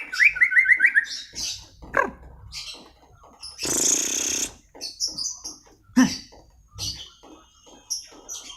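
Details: White-rumped shama song: a fast series of rising whistled notes repeated several times a second, then varied chirps and high twitters, broken by a loud rushing burst of noise near the middle.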